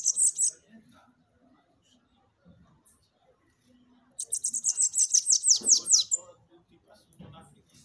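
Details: Captive-bird stimulation song of a Bananaquit, known locally as sibite: a brief high fragment, then a loud two-second wheezy trill of fast notes ending in descending slurred sweeps, faint low murmurs in between.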